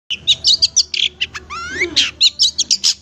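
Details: Long-tailed shrike (cendet) singing in a tutor recording for kept songbirds: a rapid run of short, high chirps and scratchy notes, broken midway by a clear rising whistled sweep, then more quick chirps.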